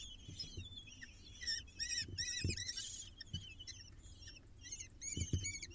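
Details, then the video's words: Falcon chicks, six of them, begging while fed on a live nest camera: overlapping rasping squeals and thin wavering cries, swelling louder near the middle, with soft thumps and a steady low rumble. "6 falcon babies get fed"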